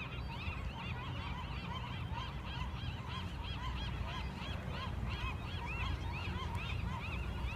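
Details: Flock of marbled godwits flying over Westport on a fall day, giving a dense, continuous chorus of quick nasal two-part calls, rising then falling, repeated many times a second, with a low wind rumble beneath.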